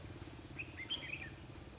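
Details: During a decoy-trapping session dated 21/12/2015, a red-whiskered bulbul sings its fighting song as one brief warbled phrase of bright, sliding whistled notes. Constant high insect drone and low background rumble continue beneath.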